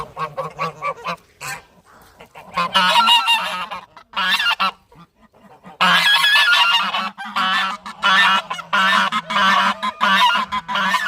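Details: Goose giving loud, harsh honks in rapid bursts during breeding season, with a brief quiet gap and then a long run of overlapping blaring calls.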